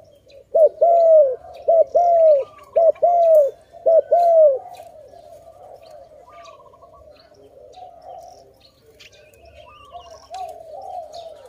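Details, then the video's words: Dove near a trap giving a loud series of four paired coos, each a short rising note then a longer drawn-out falling one, delivered in quick succession, followed by softer distant cooing and faint chirps. "Video lovely dove so loudly, Sound of good dove"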